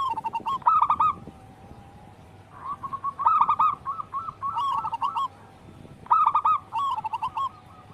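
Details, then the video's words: Local wild zebra dove, an energetic singer recorded to lure and tutor captive doves: short bursts of rapid bubbling coos separated by quiet spells, with even, clipped notes following each burst. "Pancingan burung perkutut lokal alam gacor sangat Bagus untuk masteran harian"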